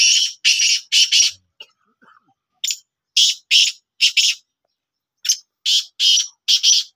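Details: Pet black francolin, described as a Sindhi tetar, calling during a training attempt: harsh, grating, hissy bursts repeated in quick groups of two to four, with short pauses between the groups.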